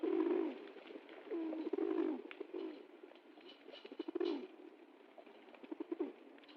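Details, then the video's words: Low, burbling pigeon coos open the recording, two drawn-out rolling phrases followed by softer scattered clicks and rustles, then another swelling coo and quieter murmuring. "Голуби курлыкают, звуки голубей"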